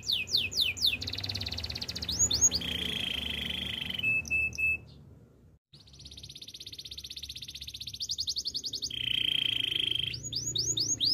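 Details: Canary training song built from varied tours: rapid swooping trills, a buzzy rolling section, and clipped notes. After a brief pause comes a long, sustained high rattle, then a lower buzzy roll and a return of fast swooping trills.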